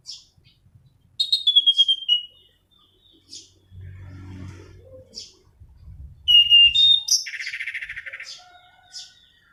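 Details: Orange-banded thrush rolling song, used for luring and tutoring: scattered high chips and a falling whistle, a stretch of low hum, then a loud rattling run of notes and a harsh buzzy phrase.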